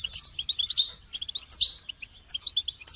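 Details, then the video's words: Goldfinch song used for training songbirds: fast bursts of bright, high twittering and chirping notes in quick jumbled phrases, with brief pauses between bursts and a quiet low hum beneath. "Motivating goldfinch song training inspiring melodies and techniques"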